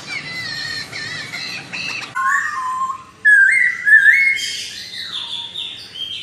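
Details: Melodious laughingthrush song meant to make another laughingthrush answer at once: a buzzy harmonic phrase at first, then loud clear whistled notes that slide up and down in steps, with a high descending slur near the end.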